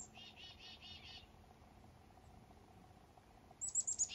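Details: Black-capped chickadee in morning fog on a northern fishing trip, giving four soft buzzy 'dee' notes, then a long quiet gap before a quick cluster of very high, thin introductory notes.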